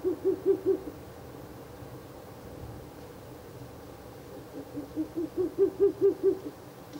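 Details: Ural owl at a nest box on the night of 16 April 2024, third night of nest visits: two bursts of rapid, evenly spaced low hoots, about seven notes each, separated by a few seconds of quiet.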